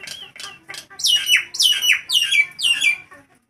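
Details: Nias hill myna calling loudly in hot weather, a lure for other birds: a quick series of piercing notes, each sweeping sharply down in pitch, about four per second, getting louder after the first few.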